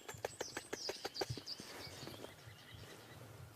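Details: Woodpecker at sunrise, 2 June 2016, Sabi Sand, South Africa, in a tree with a fork-tailed drongo and leaf-gleaning birds: a quick run of dry knocks, about six a second, fading; thin high chirps and a low rumble behind.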